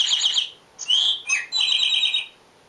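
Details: Eastern Towhee song, given to attract mates and defend territory: two clear, bright whistled notes dropping in pitch, then a fast ringing trill, the 'drink-your-tea' pattern, preceded by the tail of an earlier trill.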